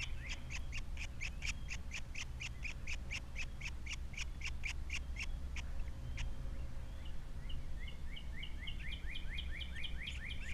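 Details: Osprey on its Captiva nest with three chicks, 21 February 2022: first a long train of quick sharp ticking notes, then after a pause a fast series of rising whistled chirps, all over a steady wind rumble.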